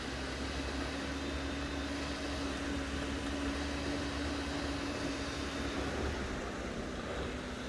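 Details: A constant broadband mechanical hum, like a fan or distant engine, runs unbroken with no animal voices.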